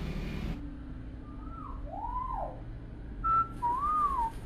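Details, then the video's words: Tame talkative common hill myna kept as a pet, whistling a few clear slurred notes: a rising-falling whistle, then a short flat note and a wavering whistle near the end, over a steady low background hum. "BURUNG BEO JINAK PINTAR NGOMONG"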